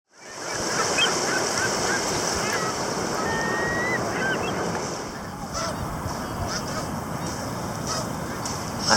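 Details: A large wintering flock of snow geese, migrants from the Arctic, on Assateague Island National Seashore, keeps up a dense, continuous chorus of nasal honks and yelps over steady wind or surf.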